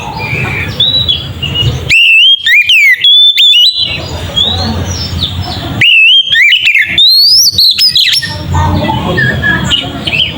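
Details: Lure song of an Oriental magpie-robin, loud ngeplong style meant to make rival males aggressive; two strong bursts of varied whistles, upslurs and sharp high notes, with quieter mixed bird chatter between them.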